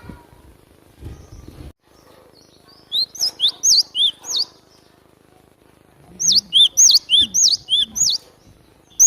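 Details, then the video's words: Cinereous tit singing, a recording used to lure wild birds: two bursts of clear, sharp whistled notes, each note swooping down and up, repeated rapidly about six to eight times per burst, with faint low rumbling between. "Pancingan suara pikat burung glatik batu sudah terbukti ampuh"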